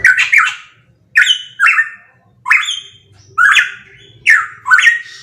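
A pitohui gives loud, harsh, squawking notes, often in quick pairs, each burst falling slightly in pitch and repeated about every second.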